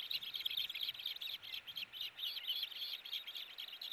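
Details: Osprey nest, August 4, 2018, during a tug-of-war over a fish: dense, somewhat harsh high chattering, notes blurring together in uneven clusters against background hiss.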